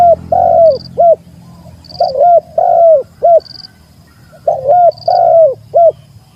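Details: Spotted dove calling out a rival: loud, deep, mellow phrases of three or four coos, the middle note longest, repeated every few seconds, with a faint high chirp from another bird between phrases.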